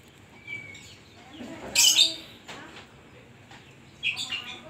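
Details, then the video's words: Kacer, the Oriental magpie-robin, singing an 'isian koslet' style song: a brief whistle, then an explosive bright burst near two seconds and a shorter scratchy chatter near the end, separated by quiet gaps. "burung kacer gacor isian koslet"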